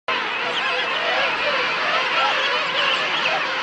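A dense colony chorus of King penguins: many overlapping trumpeting, wavering calls blend into a steady, loud roar with no pauses.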